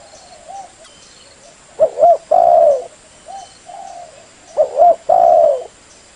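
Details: Trapping lure sound of a spotted dove: two loud cooing phrases, each a double short coo followed by a long sliding coo, with soft background coos from another dove in between.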